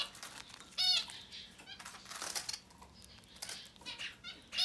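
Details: Begging from Society finch babies in their first ten days: a loud stacked, nasal squeal opens, then softer buzzy, rasping bursts follow at uneven intervals over a quiet hum.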